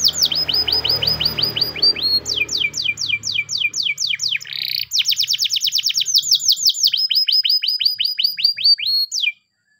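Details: Spanish Timbrado canary training song in the morning: bright rapid runs of downward-slurred whistled notes, switching between several trill phrases with a brief buzzy burst in the middle, then stopping abruptly.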